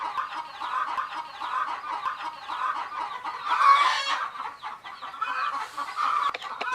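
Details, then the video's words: Baby chicks settling to sleep beside a hen, many voices peeping at once; continuous high twittering, swelling into a louder burst of sharp cheeps midway before easing back to a soft chatter. "Fun Sleepy "Chicks Chirping" Sound of Gallina Babies"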